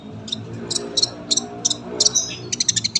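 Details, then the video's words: Brief run of a caged sunbird's song, used for tutoring young birds: clipped high chirps repeated about three times a second, then a quick thin whistle and a rapid cluster of short notes, with a faint low hum beneath. "KOLIBRI GACOR PANJANG SUARA RAPET"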